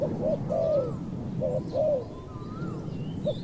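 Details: Spotted dove cooing during decoy luring of a wild dove: a short note then a long bowed coo, repeated, over a low rumbling background with faint sliding whistles of another bird.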